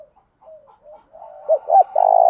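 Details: Male spotted dove cooing in the Thổ đồng voice style to provoke rival males. Soft, low coos rise in strength into a loud, drawn-out coo at the end.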